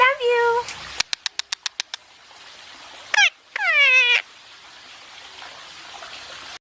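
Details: Indian ringneck parakeet talking as it basks: a wavering harmonic phrase, a rapid run of seven sharp clicks, then a brief squeak and a long drawn-out downward-curving call before quiet.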